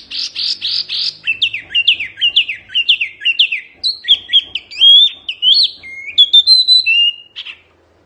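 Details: Energetic tutoring song of an Oriental white-eye, wambi mini type: a rapid, unbroken run of high, sharp chirps and slurred whistles, rising and falling steadily for eight seconds, with faint low background sounds.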